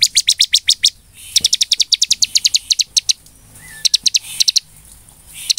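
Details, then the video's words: Lively bar-winged prinia song, played to stir rival birds into song: rapid trains of high, clipped notes, each run about a second long, with a brief soft whistle in a pause. "SUARA CIBLEK GACOR UNTUK PANCINGAN CIBLEK AGAR EMOSI DAN GACOR"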